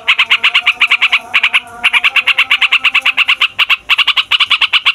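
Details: Long, noisy rolling song of a yellow-vented bulbul, used to make young, lazy or newly caught birds join in: rapid sharp notes about eight per second, with two short breaks.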